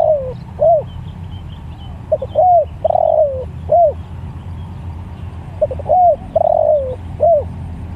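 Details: Spotted dove (tekukur) calling other doves: short coo phrases of two quick notes, an arched hoot, a long falling drawn coo and a final hoot, phrase repeated twice, over low rumbling background.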